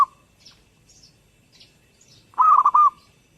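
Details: Zebra dove singing one short phrase of rapid, rolling, staccato coos near the end, preceded by scattered faint high twittering from other birds in a quiet setting.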